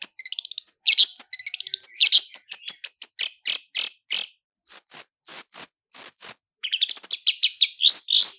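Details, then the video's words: Long-tailed shrike lure song in the rolling style called roll speed and roll tembak: rapid clicking rattles, dense repeated harsh notes, then a run of evenly spaced sharp chips about every third of a second and buzzy rising phrases. "SUARA CENDET ROLL SPEED DAN ROLL TEMBAK, PANCINGAN CENDET FULL ISIAN JERNIH"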